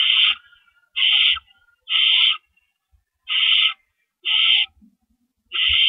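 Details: Owls at the nest around 4:30 AM on April 4, 2012, with rabbits carried in and out; six harsh, breathy screeches spaced one to one and a half seconds apart, a quiet pause in the middle.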